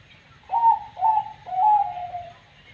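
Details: Zebra dove of the banyu mili type, described as having a strange voice, giving three clear cooing notes in quick succession. Each note starts sharply and slides gently downward, and the last note is longer and drawn out.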